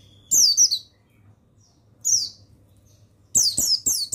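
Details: Mountain white-eye (pleci buxtoni) song used as a master recording to stimulate kept birds to sing: short, high, twittering bursts of rapid descending notes, one near the start, one mid-clip, then a quick string of three or four at the end.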